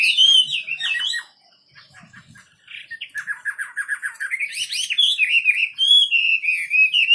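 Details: Wambi bird song starts with loud whistles, pauses briefly, then continues with a rapid train of short, repeated chip notes that climb into a flowing whistled warble.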